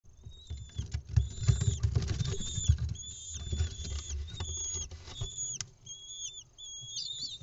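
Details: Lesser kestrel chicks in a live-camera nest in Israel on 6 May 2021 as their mother brings them an insect; shrill, thin, squealing calls in uneven bursts over heavy low rustling and thumping from movement in the nest.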